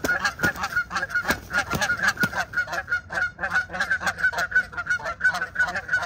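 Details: Two Canada goose ganders fighting, recorded 17 March 2023: a steady stream of loud, nasal honks about three per second, overlapping voices from several geese, with occasional sharp thumps and splashes beneath.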